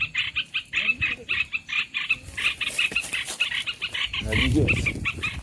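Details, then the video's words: Olive-winged bulbul trapping lure: quick chattering phrases in short bursts, then a busier stretch of overlapping notes, with a rough low rumble rising near the end. "SUARA MIKAT BURUNG MERBAH BELUKAR"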